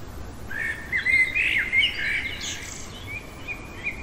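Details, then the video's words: Common blackbird singing in the middle of the night: mellow, fluted warbling phrases with slurred notes, followed by a brief thin, high twittering flourish, then softer trailing notes over steady low background hiss. "Merle chantant au cœur de la nuit"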